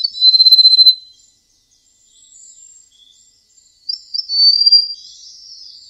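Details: Golden prinia, whose song is described as sweet and flute-like, opens with a rapid high pulsed trill lasting about a second, then after a quiet pause gives a brisk high phrase of stuttering notes and a buzzy run.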